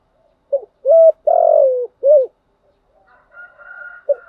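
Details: Spotted dove coo meant to lure wild birds into calling back: a clipped note, a rising note, a long falling coo and a short rounded note, followed by a faint higher thin tone and one last brief coo.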